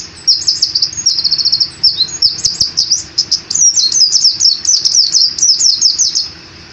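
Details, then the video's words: Pleci white-eye, an Indonesian cage bird, in full ngeroll song. Dense, loud, high-pitched chatter of fast trilled notes and quick upslurred whistles pours out almost without break for several seconds. "Pleci Gacor Ngalas Ngeroll (Zosterops)"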